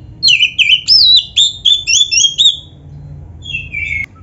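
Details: White-rumped shama (kacer), caged, singing a training phrase of quick looping, bouncy whistled notes repeated several times a second, then a pause and a falling whistle; low hum in the background.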